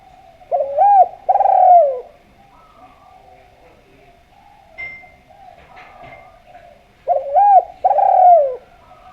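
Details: Vocal spotted dove giving melodious cooing used as a lure to prompt other doves to call: two low coo phrases, a short rising-falling note then a longer rolling coo, repeated after about six seconds of quiet room sound.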